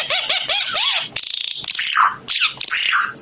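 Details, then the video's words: A short burst of song from a Timor red-eyed bird: four clear arched whistles in quick sequence, then scratchy, buzzy high notes. "Kicau Burung Ara UNIK Mata Merah Suara Gacor"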